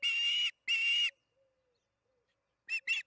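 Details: Evening feeding at an osprey nest near Charlo, recorded by nest camera on June 21, 2019, at 8:15 pm MDT: two long, strong whistled yelps, then a pair of shorter clipped notes after a pause.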